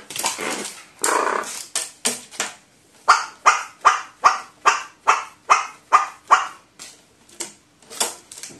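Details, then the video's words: Pet crow in a state of high excitement while playing with a paper balloon and a chase game: a rapid series of about a dozen harsh, loud 'wa' calls, roughly three per second, with rustling and soft knocks between them. "カラスに紙風船を与えると大興奮状態になりますw 何種類もの絶叫をします"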